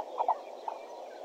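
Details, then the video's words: Hornbill at the Pete's Pond waterhole, Djuma, Africa, on 13 September 2012 at 6:51 in the morning, caught by a camera. It gives two quick low hollow notes and then a fainter third one, over a steady background hiss. "hornbill bird at Djuma"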